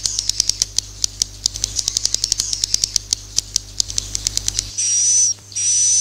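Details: Swiftlet sounds used to lure birds into a swiftlet house: about four and a half seconds of rapid, dry, clicking chirps, then two long, hissing, buzzy bursts with a faint whistled tone, over a low hum.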